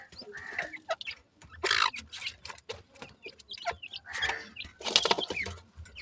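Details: Francolin chicks after eating food, refusing to let go of it: high, thin chirps and peeps from several young birds, scattered irregularly, with loud broadband rustling and scuffling bursts between them.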